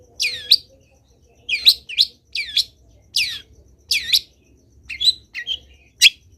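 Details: Long-tailed shrike singing vigorously with fill-in phrases, repeating loud downward-sweeping whistled notes about every half second, then ending with mixed twitters.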